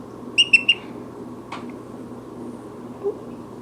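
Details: Indoor pet brown-headed parrot in a talkative mood, one quick triplet of shrill chirps followed by a single sharp click and then near silence apart from a low hum.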